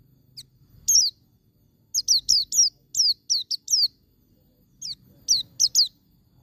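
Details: Wild-style 'ngalas' white-eye song used to provoke caged white-eyes into singing: rapid series of thin, high, downward-slurred whistles, delivered in tight runs of several notes with short pauses, clean background apart from a faint low rumble.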